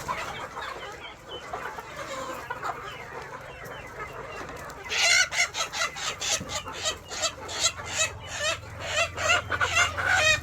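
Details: KUB native chickens at a breeder's farm in Aceh Besar, Indonesia: after a quieter start with soft scattered clucks, loud harsh clucking and cackling bursts begin midway, repeating about twice a second over low farm background hum.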